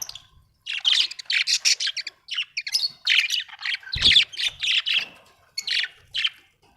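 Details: Budgies chattering almost nonstop in rapid squawky chirps and scratchy twitters, rhythmic bursts every half second or so, with one brief low thump midway.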